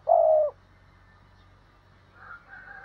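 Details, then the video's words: Decoy spotted dove calling, 2022: one loud, low, level coo lasting about half a second, then near quiet with a faint, higher murmur near the end. "Chim Cu Mồi Thúc Và Gáy Gọi"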